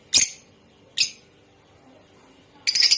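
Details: Rosy-faced and Fischer's lovebirds giving a mating call for stimulating breeding: two abrupt, shrill chirps almost a second apart, followed by the start of a fast buzzy chatter.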